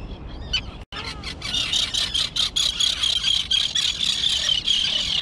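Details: Young terns, newly fledged and flying, on an overgrown grassy island colony keep up a continuous chorus of high, harsh, squealing calls, several overlapping at once with no pause.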